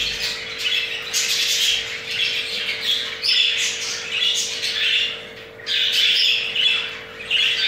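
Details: Male jumbo crested budgerigar mating in captivity, from a pair with two eggs; squawky chattering phrases broken by short pauses, each burst harsh and buzzy, over a faint steady hum.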